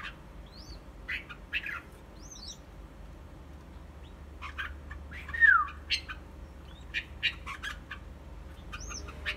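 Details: Red-whiskered bulbul during a wing display: scattered chirps and curling whistled notes with pauses between them, one louder squawky phrase midway, over a faint constant low hum.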